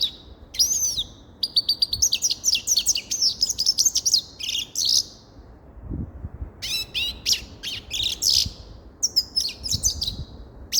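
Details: Grey-crowned goldfinch song: bright, rapid twittering phrases of high chirps and buzzy trills, delivered in two bursts separated by a short pause.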